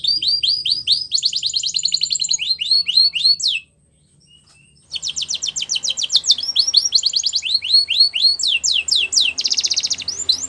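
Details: Male canary singing rapid whistled sweeps and a buzzy trill, pausing about a second, then resuming with fast repeated notes and another rolling trill.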